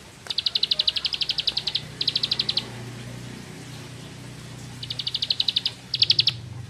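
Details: Bar-winged prinia (Prinia familiaris), song.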